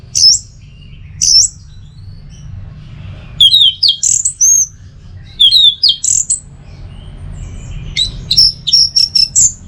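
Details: Song of an orange-headed thrush kept for song training and to spur teler singing: scattered high whistles give way to fast, varied runs of slurred and twittering notes, then clipped repeated notes, over a steady low hum.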